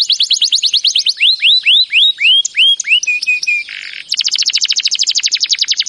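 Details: Canary training song with quick repeated chirps, then slow looping downward whistles, a few flat clipped notes, a low buzz, and a fast even trill of sharp repeated notes to finish.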